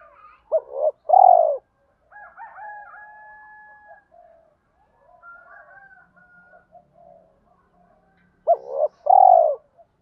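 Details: Lure spotted dove calling in the thổ style to provoke fighting and quickly attract wild birds: a coo phrase ending in a long hoot, then a stretch of thin whistles and chatter from other birds, then another coo phrase.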